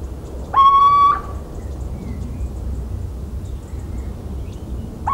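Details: Little owl recorded 17 March 2019 in rural central France: a loud, clear whistled hoot rising slightly for about half a second, then a second note beginning at the end, with faint background chirps.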